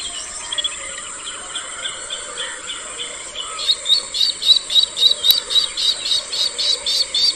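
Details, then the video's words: Bronze-winged jacana: a rapid series of short, high piping notes, about four per second, growing louder and more even in the second half, over a steady high insect buzz. "Jacana Bird Sound | জলপিপি পাখির ডাক | Jacana Bird Call | Jacana Bird Voice"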